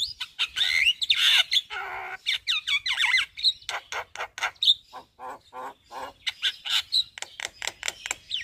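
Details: Javan myna singing its full varied repertoire in daytime in front of a house: rapid mix of harsh squawks, clicks and whistled upslurs around the mid-high range, phrases bursting and pausing irregularly.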